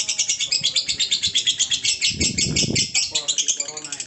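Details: Lovebird delivering the ngekek trill, fast shrill pulses continuing without pause while a low thump and men's voices are heard.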